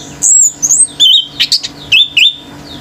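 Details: Orange-headed thrush male singing hard to stir up other birds, giving a few clear high whistles, some slurred downward, mixed with short harsh notes and two-part whistled phrases.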